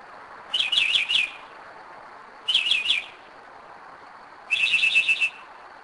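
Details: Northern mockingbird singing at 2am near Kennesaw, Georgia, at a spot it has returned to for several years; three short phrases of rapid warbled notes, each under a second long, separated by pauses of about a second, over a quiet background.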